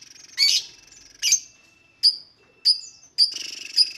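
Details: Lovebird calls used as a lure to make other lovebirds sing: a few short, high chirps and sharp downward-slurred notes about half a second apart, ending in a buzzy burst.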